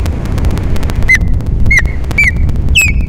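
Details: Osprey recorded on a December morning (13 December 2021) at Captiva, Florida, during mating: four separate high, downslurred whistled chirps spaced about half a second apart, each trailing into a thin tone, over heavy low wind rumble.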